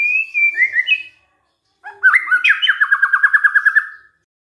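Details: White-rumped shama lure song for provoking other shamas to sing: a gently falling whistled phrase, a pause, then swooping notes leading into a rapid trill of about fourteen repeated notes.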